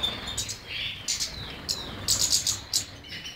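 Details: A European goldfinch sings a quick jumble of high twittering notes, short slurred whistles and buzzy bursts, delivered in close succession.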